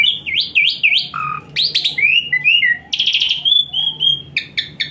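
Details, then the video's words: Asian pied starling hot-shot song for training a starling that rarely sings: looping whistled notes, a low slurred note, then harsh buzzy bursts and a long level whistle, all loud and close. "Full Isian Mewah TEMBAKAN PANAS Khas Jalak Suren UNTUK TERAPI Jalak Suren Malas Bunyi Jadi Rajin"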